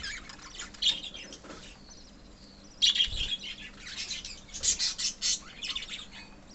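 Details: In a love birds colony, budgerigars give occasional clear chirps, then louder clustered chattering in the second half, with quiet pauses and a brief low thud.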